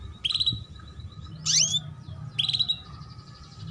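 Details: Female canary gives chirping calls used to stimulate young canaries to sing sooner and to raise breeding drive: three short, bright chirp bursts, one with a rising whistled sweep, over a low steady hum.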